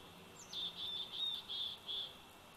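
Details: Bald eagle eaglet, 104 days old, at its nest in Big Bear Valley on 27 July 2019, picked up by a nest cam: a high thin squeal slides down into five piping, slightly buzzy notes run together.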